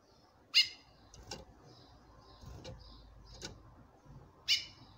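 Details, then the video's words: Female chestnut-bellied seed finch calls to a male with two strong harmonic chips at start and end, separated by soft ticking clicks. "FÊMEA DE CURIÓ CHAMANDO MUITO"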